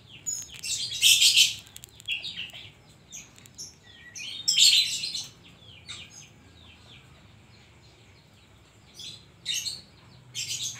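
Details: Oriental magpie-robin delivering a long, varied song filled with koslet mimicry: dense scratchy bursts mixed with thin whistles and chips, then sparser sharp notes with pauses, against a faint low hum.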